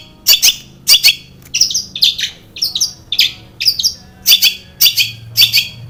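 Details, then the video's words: Long-tailed shrike song used as a lure to get captive shrikes singing: harsh, scratchy broadband bursts at about 100 a minute, interspersed with short mimicked whistled notes, with a faint low hum beneath. "SUARA cendet gacor ISIAN SARKASAR pancingan cendet agar bunyi"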